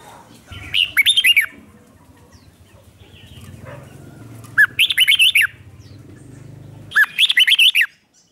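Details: Red-whiskered bulbul lure song for attracting wild birds: three short, vivid phrases of slurred whistled notes repeated about every three seconds, over a low droning hum.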